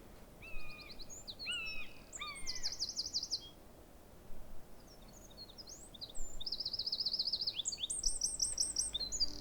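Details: A Eurasian Wren sings on 9 April 2025 (foggy spring spell in the area): loud, high, rapid song of sharp notes and fast ringing trills, in two bursts over steady low background rumble.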